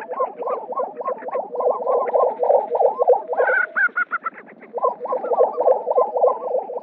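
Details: Displaying male Lesser Prairie-Chickens on a New Mexico lek in spring: a steady run of gobbling, bubbling notes about three per second. A short burst of higher cackling intervenes before the rolling chorus resumes.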